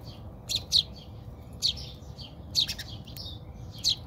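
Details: Backyard house sparrows squabbling in South Africa: loud clipped chirps, often paired, recur about once a second, with quieter twittering between them over low background noise.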